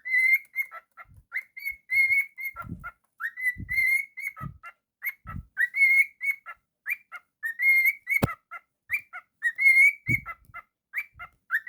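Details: Pet cockatiel giving a steady run of clear whistled notes that waver up and down, broken by sharp clicks and a few low thumps, with one loud snap near the middle.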